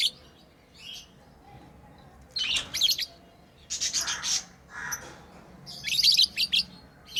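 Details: Lovebirds kept as pets chirp while playing: a few harsh, broad squawky bursts, some drawn out and rasping, separated by pauses of about a second, against faint background hum.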